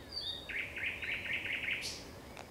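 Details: Thrush nightingale singing at sunset on 30 May 2021: a fast run of six or seven identical rattling notes, about four per second, ending in a sharp high note, with faint background hiss.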